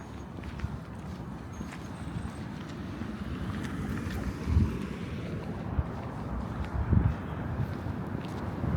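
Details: Wind rumbling against the microphone with low boat or vehicle noise and a few soft knocks; no animal voices.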